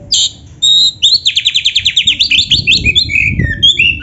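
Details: Kacer (Oriental magpie-robin) master recording with complete canary 'isian': two short high notes, then a long rapid trill of repeated upswept buzzy notes sliding into lower warbled phrases.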